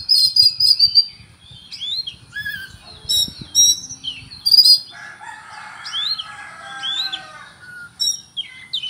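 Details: Song of an Oriental magpie-robin rich in cricket mimicry: rapid high chirps and twittering, a stretch of dense buzzy trilling, then scattered sharp notes; faint rustling clicks early on.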